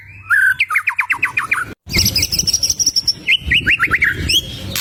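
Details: White-rumped shama song used to provoke rival birds: a fast run of about ten sharp rising notes, a pause, then high thin whistles and another series of rising upslurred notes, with low background hum.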